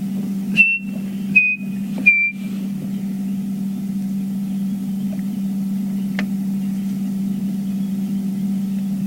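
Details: Chinspot Batis gives three clear, pure whistles, each a touch lower, about a second apart, during morning song time after the dawn chorus on a sunrise safari drive, over the steady low drone of an idling engine.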